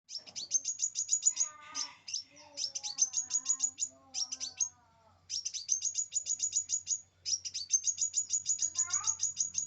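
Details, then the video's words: Scarlet minivet song used as a tutor recording for caged birds: rapid bursts of thin, high chirps repeated in quick runs with short pauses. Lower warbling notes from other birds sound underneath. "sepah raja... cocok buat masteran burung anda"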